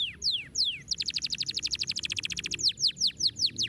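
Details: Canary song played to stimulate lazy birds to sing: a few high descending whistled sweeps, then a fast even trill of repeated notes for about two seconds, ending in more falling sweeps.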